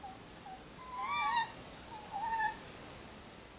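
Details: Nest-hunting tawny owl pair at a Somerset barn owl box exchanging chatter: two short, wavering, mid-pitched calls about a second apart, fairly faint over steady hiss.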